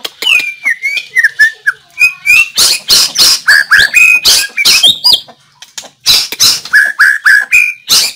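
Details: White-rumped shama song, recorded 17 April 2024: loud, fast and varied, mixing clear whistled slurs with harsh buzzy bursts and clicks in an almost unbroken stream, with one brief silent gap.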